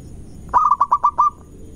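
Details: Fast lure song of a local zebra dove, played to anger rival birds: a single run of about six mellow, rolling coo notes, evenly spaced and steady in pitch, with a faint trailing note at the end.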